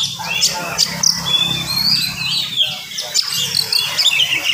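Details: Oriental magpie-robin singing in the morning, a rapid dense song used to rouse other magpie-robins: thin high whistles and clipped chirps over a steady low hum.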